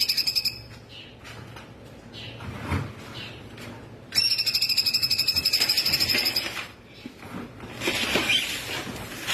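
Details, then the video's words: Laughingthrush (cungkok) in full song, 'tembakan' style, used to train other birds: a rapid, evenly pulsed high trill of about three seconds with ringing overtones, then softer scattered chirps and a hiss-like burst near the end. "CUNGKOK FUL TEMBAKAN"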